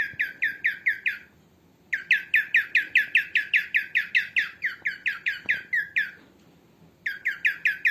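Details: A female cockatiel's calls for cockatiel training: rapid bursts of rough, down-sweeping chirps in three runs split by brief silences, each run steady and rhythmic; a faint knock occurs once.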